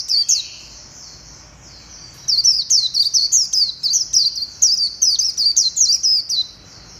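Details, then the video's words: White-eye song recorded 11/7/2021: rapid, high, thin twittering notes in quick bursts from about two seconds on, a brief bout at the start, with quiet background. "Tiếng chim vành khuyên hót hay nhất"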